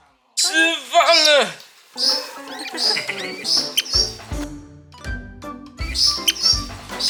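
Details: A captive-bred Taiwanese Northern Goshawk chick, too young to eat by itself and hand-fed, gives a loud, harsh, wavering begging cry lasting about a second at feeding time; afterward a person talks over background music with thin high chirps.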